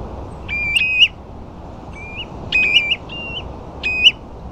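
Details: Sandflats at Ferrybridge, Portland, with ringed plovers among a few dunlin: clear whistled notes climbing to an upturned tip, some in quick pairs, spaced roughly a second apart over a soft low rumble.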